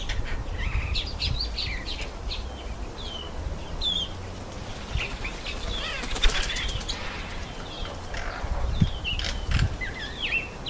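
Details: Yellow white-eye eating an apple, calling continually in thin, high chirps and short twittering notes to keep in touch, with a burst of wing flaps midway and a low background rumble.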